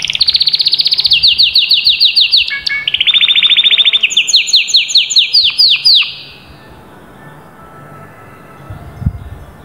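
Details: Loud canary song made of rolling trills, each a rapid series of downslurred notes, changing tempo and pitch for about six seconds before falling to quiet background hiss.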